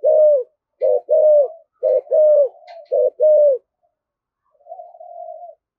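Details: Spotted dove in 'thổ thúc gù' voice, very fired up: dense series of deep hollow coos, paired notes back to back, ending with a soft drawn-out purring coo.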